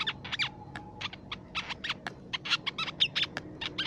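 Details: Crimson sunbird lure sound: lively, high, sharp ticking notes and short slurred squeaks delivered in quick uneven clusters, with one lower drawn-out whistle early on and a quiet background.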